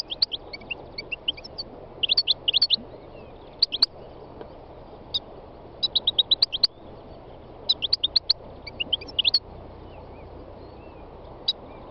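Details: Spring song of a three-year-old North African goldfinch in Tunisia's north-west mountains: short clusters of bright, tinkling twitters separated by pauses, scattered high clicks and chirps, with other wild songbirds audible close by.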